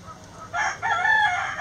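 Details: Chicken in a backyard coop: two loud, raspy, harmonic call notes in quick succession, the second held longer, after a quiet start.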